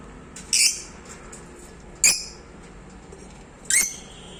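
A lovebird gives three harsh, high screechy calls about every one and a half seconds, with quiet background hiss between them.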